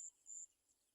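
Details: An olive-backed (garden) sunbird mother, with small baby birds that fell and cannot eat, gives two thin, very high whistled notes, the second slightly longer, over a soft background hiss.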